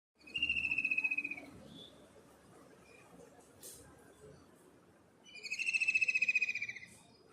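Common kingfisher giving two shrill, high, rapidly trilled bursts, each over a second long and several seconds apart, over faint background hiss.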